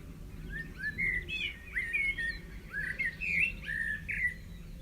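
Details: A blackbird sings in a garden on a fresh morning, 5 May, giving a run of rich, fluty whistled phrases, each rising and falling, with short gaps between them, over a low background rumble.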